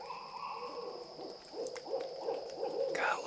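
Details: Barred owl calling in a swamp in northwest Florida: a run of low hoots repeated several times a second, a rhythmic chattering series with wind-like background noise, ending in a louder rising note.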